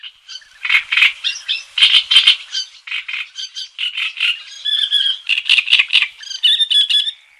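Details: Black-tailed godwits on the Bug River: an almost unbroken run of harsh, nasal, squawking calls in short bursts. They overlap into a busy chatter for seven seconds, with some clearer, higher ringing notes toward the end and no low background noise.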